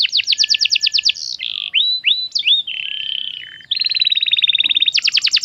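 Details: Canary song played to train other canaries to sing: a rapid rattling trill of repeated high notes, then slurred whistles and a held buzzy tone, followed by a long even trill and a final burst of quick chirps, in clean quiet surroundings.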